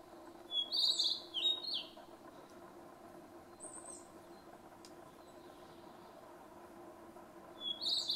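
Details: Narcissus flycatcher singing at Mount Fuji on 5 June 2015: short, clear, warbling whistled phrases, one early and another about six seconds later, over a steady low rushing background.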